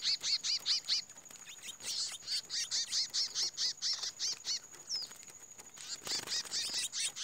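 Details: Chestnut-bellied seed finch fighting in its first fight after the moult: loud, high, whistled notes repeated about twice a second in steady runs, with a brief pause and a slurred note near the end.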